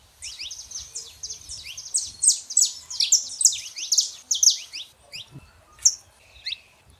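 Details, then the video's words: Saffron finch pair, male and female, in a dense stream of bright, high chirping notes for about five seconds, followed by a few separate sharp chips and a short buzzy note. "canário da terra fêmea e macho pra esquentar seu canário frio"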